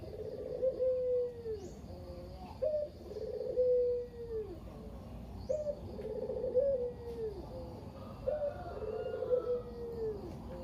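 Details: Local Barbary dove, the single survivor of a pair kept at a family home, cooing in kugeru style as a lure for other doves: repeated low rolling coos, each with a brief trilled middle and long falling tail, about every two seconds.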